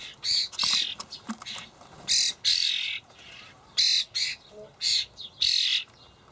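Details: Fledgling common starlings begging while adults bring dried buffalo worms, Hamburg allotment garden, 28 May 2012: loud grating squawks, roughly eight in six seconds, some long and wheezy, others short, between soft background notes.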